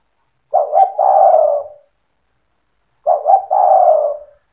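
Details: Spotted dove with a fast stuttering style said to set other doves singing: two identical husky phrases, each quick paired coos then a long drawn coo, spaced about two and a half seconds apart.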